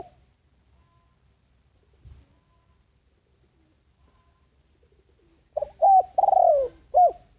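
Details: Spotted dove kept as a ground lure to call in wild doves: long quiet stretch with a faint tap, then a single cooing phrase of short coos, a long drawn falling note and a closing coo.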